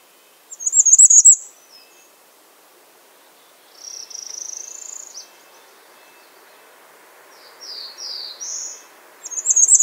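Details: Bay-breasted warbler heard in bouts: a high, thin trill, then quieter slurred notes a little lower in pitch, then another high rapid trill at the end, with pauses between them.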